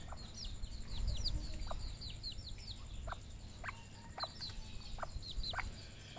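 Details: Red junglefowl kept on a Cambodian farm: quick high peeps in an irregular run, over three per second, mixed with brief clipped clucks spaced about half a second apart, against rumbling low-frequency background noise.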